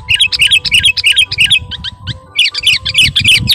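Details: Lively sooty-headed bulbul, garuda type, calling out to a rival with quick, evenly spaced bright chirps, about three a second, breaking off briefly before resuming; low rumbling noise underneath.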